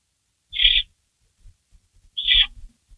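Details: Barn owl calling in the nest at 3:53 AM on May 16 2012 around a rabbit delivery, the rabbit shredded before being gulped down. A pair of raspy, high-pitched calls nearly two seconds apart amid faint knocks and scuffles.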